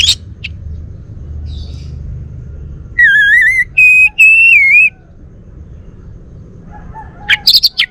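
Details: Orange-headed thrush, a Bali male, giving a few clear whistled notes, rising then level, grouped mid-clip, with scattered short high chirps before and after and a soft low hum throughout.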